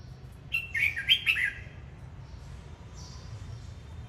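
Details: Red-whiskered bulbul singing while dancing, known in Vietnam as hót múa: a single quick burst of four or five bright, warbled notes jumping up and down, then quiet background hiss.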